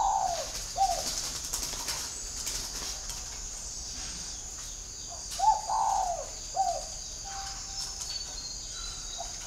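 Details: Perched decoy spotted dove with a whistle-like voice, repeating short phrases of mellow coos separated by a long pause. Each phrase is a clipped note and then a drawn-out falling coo. A faint, even whistle is heard near the end.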